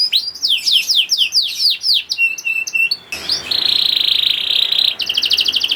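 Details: Song of a young canary, played to get hard-to-start canaries singing: a run of curved falling sweeps and level tones, followed by a long rattling trill and a high rapid chatter at the end.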